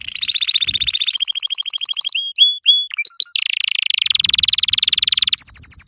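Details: Yellow canary song played to tutor young canaries: rapid rolling trills at differing pitches, a few clipped whistled notes midway, then a fast dry rattle ending in a higher buzzy trill, with faint low thumps.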